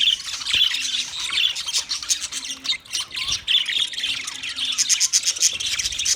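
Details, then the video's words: Chirping budgies, recorded for a lonely bird: nonstop high warbling chatter with rapid clicky trills and a few brief squawks, building busier toward the end. "Budgies chirping sounds for lonely bird"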